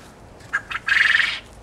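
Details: A male Japanese quail, one of eight kept in a garden pen on a pleasant late April afternoon, gives two short, sharp notes then a harsh, buzzy half-second rattle, the sound the owner says males make when horny, over quiet hiss.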